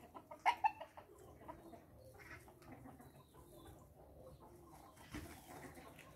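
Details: Several maritaca parrots, recorded April 17, 2022 at 16:50, give a pair of loud, harsh squawks near the start, then fainter scattered calls over a low background murmur.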